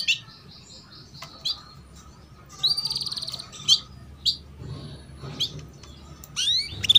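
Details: Female canary chirps meant to spur juvenile canaries into song: scattered single high chirps, a short buzzy rattle, then more isolated tweets ending in rising whistled notes.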